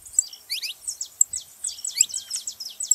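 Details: Saffron finch song used to stimulate other canaries: dense, high, thin downslurred notes in quick bursts, with faint high squeaks among them.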